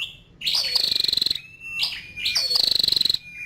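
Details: Two high, fast, buzzy rattling trills from a female scarlet-backed flowerpecker, each starting with a sharp upward chip and ending in a thin level tone.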